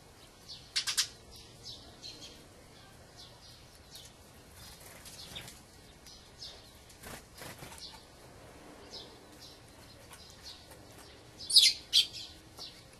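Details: Dusky thrush, a winter visitor migrated from the far north, gives short, harsh, dry chuck notes in two quick bursts, one near the start and one near the end, over quiet outdoor background.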